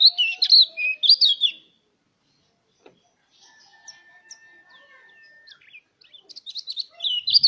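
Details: Mountain white-eye singing to draw other white-eyes into song: a rapid, high, twittering warble at the start, a near-silent pause with a faint steady tone, then the twittering returns at the end.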